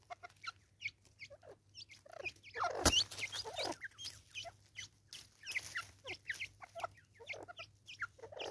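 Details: A female Natal spurfowl in South Africa in 2024 gives its raucous call: rapid, irregular bursts of short, harsh clucking notes, nearly three a second, over a steady low hum.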